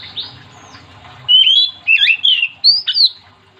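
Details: Oriental magpie-robin in full song, meant to get other magpie-robins singing: after quiet notes, four loud bursts of rich whistles that bend sharply up and down.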